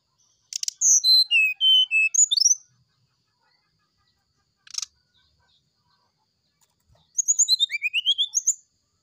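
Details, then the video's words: Morning sulingan song of a brown-chested jungle flycatcher: a long phrase of falling pure whistles ends in an upward flourish. After a click comes a pause, then a second phrase of rising, slurred, flute-like notes. "Suara sulingan srdc di pagi hari"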